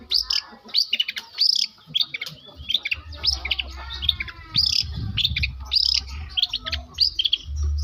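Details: Long-tailed shrike from South Malang, tutored to copy lovebird and canary, gives quick high chirps and arched whistled notes in irregular bursts, with a steady low droning hum beneath parts of the recording.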